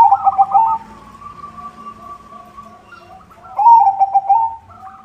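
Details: White zebra dove singing actively with a good rhythm, used to lure other zebra doves: a loud bubbling run of rapid coo notes, then softer, steady trilled cooing, and another loud rolling burst near the end.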